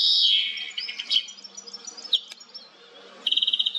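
A European goldfinch sings a bright, tinkling twitter of high liquid notes, then a quick run of about eight rapid, evenly spaced chips.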